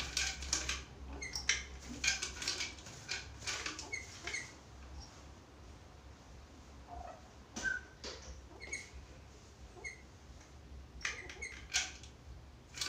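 A Black-capped lory gives harsh, scratchy screeches and squeaky chatter in irregular bursts with short clear notes between them. A low indoor hum runs underneath.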